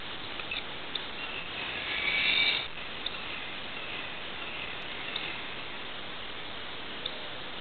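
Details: Broad-winged Hawk calling near Suwannee River State Park, Florida, in September 2011, in dim light: one thin, high whistle lasting about half a second, against a steady hiss with a few faint clicks; the audio was enhanced.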